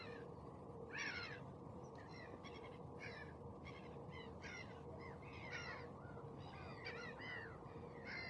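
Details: Osprey calls repeated through the whole stretch as bursts of harsh, whistled, falling notes, some in quick pairs and triplets, over steady low background noise.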